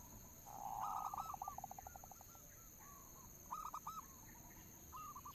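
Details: Local zebra dove lure song: a purring coo into a run of about ten fast pulses, then shorter coo phrases, soft against background hiss, high chirps and a constant whine.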